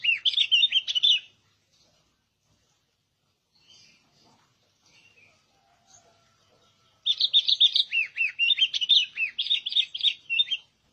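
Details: Albino sooty-headed bulbul singing: a one-second burst of bubbly, warbling whistled notes, a quiet gap of about six seconds with only faint scattered sounds, then a longer run of lively rising and falling chirruping phrases lasting nearly four seconds.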